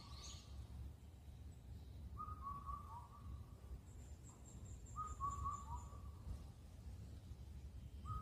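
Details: On Cheonmasan, Incheon, Korea, an Indian cuckoo gives its late-spring night call: clear four-note whistled phrases with a lower final note, repeated about every three seconds, while another bird adds a thin high whistle. Low rumble underneath.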